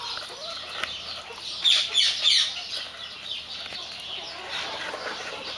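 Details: White Silkie chickens, with a short cluster of bright, high chirping notes in the middle and quieter scattered calls before and after.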